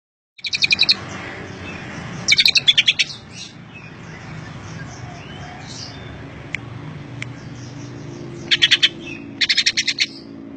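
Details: Greater green leafbird song in the isian Cililin style: four short bursts of rapid, buzzy, evenly repeated notes, high and bright, separated by quiet pauses with faint clicks and a low background hum.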